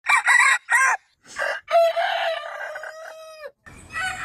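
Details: Aseel rooster crowing: harsh clucking bursts, then a long drawn-out crow that holds a steady tone before breaking off, followed by another rough call.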